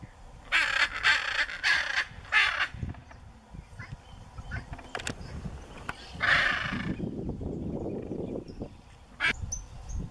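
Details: Wild macaws in Brazil, in the Pantanal or Amazon, recorded 2016–2017, giving loud, harsh, raucous squawks in quick bursts of three, then another long rasping cry and a short final squawk, over low rumbling background noise.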